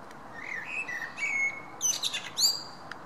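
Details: Common blackbird singing, 10 June 2017: a soft, warbled whistled phrase sliding gently down, followed by a burst of high, sharp, squeaky twitters and a final upward-swept note.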